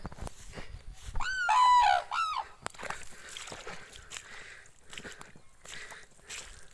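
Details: A summer flock of common cranes dances at a pond in Ahirauli village, Uttar Pradesh, India. One loud bugling call, falling slightly and then rising, lasts under a second. Quieter, distant calls and rustling noise follow.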